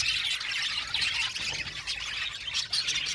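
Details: Budgerigar flock chattering in an aviary: a thick, unbroken layer of high, scratchy twitters and squeaks.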